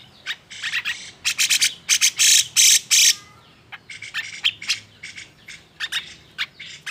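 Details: Excited grey-cheeked bulbul song, used to goad idle birds into singing: dense harsh rasping bursts in quick succession, several long scratchy notes in the middle, then shorter clipped squawks spaced irregularly.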